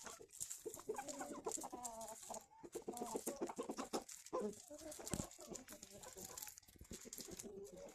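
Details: Chickens feeding in the morning: soft, rapid clucking and murmuring from several birds over a steady high hiss, with pecking and scratching noises.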